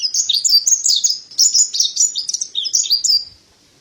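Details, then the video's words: Pleci dada putih, the mountain white-eye, singing gacor: rapid jumbled high warbles and chirps in three bursts, fading into quiet at the end. "Terapi Burung Pleci Dada Putih Gacor | Masteran Pleci Montanus"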